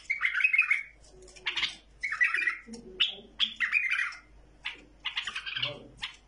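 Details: Tamed bulbul delivering short bright warbled phrases, each lasting under a second, repeated with pauses between, some faint lower chatter in the background.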